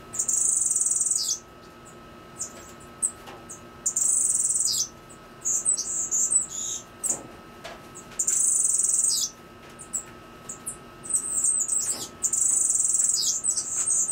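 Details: High-pitched buzzy song of a Cuban grassquit: four rasping, insect-like phrases about a second long, repeated roughly every three and a half seconds, mixed with short thin chirps and a low constant hum.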